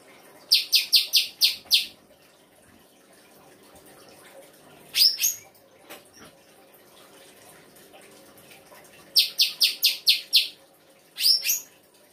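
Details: Songbird singing a full 'isian' song: a rapid series of six bright, even high notes, a sharp slurred double note, then another fast run of high notes and a closing double chirp.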